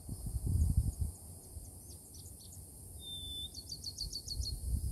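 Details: Wild Bachman's sparrow recorded in southeastern Florida: scattered high notes, then one pure sustained whistle followed by a bright, rapid trill of about six notes. Low rumbling wind bursts sit underneath.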